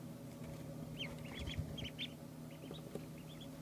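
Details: Two-day-old ducklings calling with short, high, rising peeps in loose clusters, some doubled, over a steady low hum.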